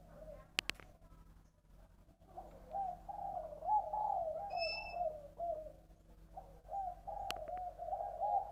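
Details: Spotted dove from Long An, Vietnam, singing in the three-part 'giọng đồng' style: a low, hooting coo phrase rolls on and repeats with wavering notes. Sharp clicks come near the start and end, and a brief high whistle sounds midway.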